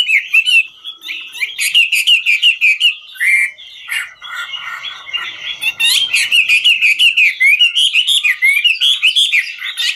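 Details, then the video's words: Singing and dancing Chinese hwamei, a 'ngũ trường' bird: long varied song of rapid rolling whistles and chattering, slurred notes repeated about three per second, with crisp clicks throughout. "Họa mi ngũ trường hót múa cực chất"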